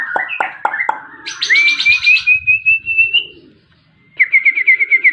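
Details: Long-tailed white-rumped shama giving a few sharp notes, then a long rapid rising trill, a pause, and another fast repeated trilled phrase; faint low hum beneath.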